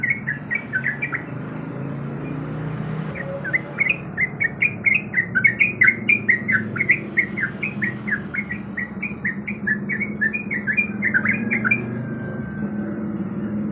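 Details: Yellow-vented bulbul, a female in breeding condition, calling to a male: a long, fast series of chattering chirps, about four a second, that fades near the end, over a steady low mechanical hum.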